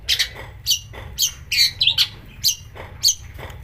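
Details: Long-tailed shrike singing rough, mimicry-laden phrases meant to excite other shrikes: short scratchy squawks and high whistled notes alternating in irregular bursts roughly every half second.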